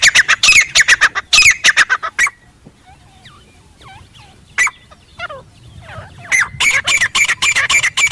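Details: Jungle recording of a wild Grey francolin: bursts of rapid, rasping notes open, then softer scattered chirps and a lone squawk, and the loud grating series returns toward the end.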